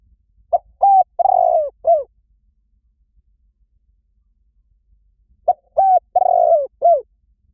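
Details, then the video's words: Spotted dove coo call played to lure wild doves: two phrases about five seconds apart, each a short note, two clear hoots and a long, wavering coo with a falling end, over a quiet background. "เสียงนกเขาใหญ่ หมานๆ ต่อเข้าเร็ว ป่าไหนก็เข้า"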